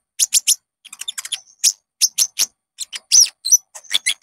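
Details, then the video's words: Lure song of a caged olive-backed sunbird, called konin, used to get other kept birds singing: quick, high, scratchy chirps in small clusters with a thin whistled note, nothing else heard. "PANCINGAN KONIN AMPUH JERNIH"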